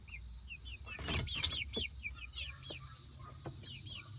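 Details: Roughly month-old Light Brahma chicks, introduced to and enjoying their outdoor coop run, keep up a rapid stream of high, arched peeps, several overlapping, with scattered knocks and clatter in the run and a low background hum.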